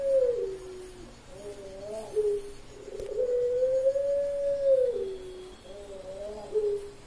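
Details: Cooing of a champion Puter Pelung dove in an October 2021 online song contest from Sragen. Brief stepped notes lead into a sustained, softly rising and falling coo, then the pattern starts again.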